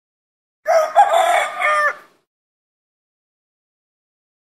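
A rooster gives one loud, hoarse cock-a-doodle-doo crow lasting just over a second.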